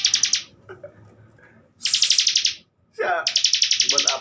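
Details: Captive bar-winged prinia singing as a master recording for training contest birds: three bursts of rapid, rattling, buzzy pulses, with soft chatter and a brief lower chirping between bursts.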